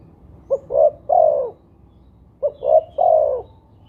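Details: Spotted dove coos played as a lure to make doves call. Two identical phrases about two seconds apart each rise from two quick hoots into a longer, slightly falling coo, over steady low background noise.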